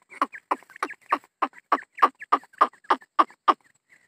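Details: Grey francolin, from a pair with two-month-old chicks, giving a harsh, grating note repeated steadily about three times a second, a dozen notes in a row, with no other sounds.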